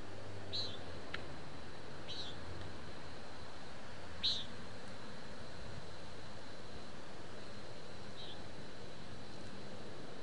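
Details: A common nighthawk recorded in town with a parabolic microphone gives four short, nasal, buzzy peents, spaced a couple of seconds apart, over a steady low rumble of traffic.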